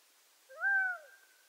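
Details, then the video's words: Single drawn, slightly arched plaintive note from a Gambel's quail, western North America, lasting about half a second with rich overtones. No other sounds are heard. "Game Bird Sounds Video: Bird Songs Western North America-Gambel's Quail Nature Sound Effects"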